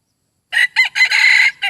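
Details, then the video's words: Crowing from a chicken admired for its voice: after silence, two clipped syllables, then a loud, buzzy, sustained note, ending with a short final hiccup, all close and clear. "ไก่ต่อเสียงดีมากๆและสวยงามมาก. Beautiful chicken. 아름다운 치킨.(Qaib dib zoo nraug thiab qua zoo heev)"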